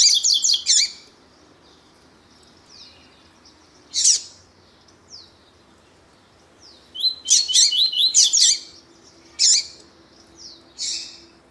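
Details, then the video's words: A male double-collared seedeater and a female calling, used to excite another male, give high, buzzy, rapid twittering phrases in short bursts with thin single chips between them. "COLEIRO TUÍ-TUÍ E FÊMEA CHAMANDO PARA ESQUENTAR COLEIRO TUÍ-TUÍ"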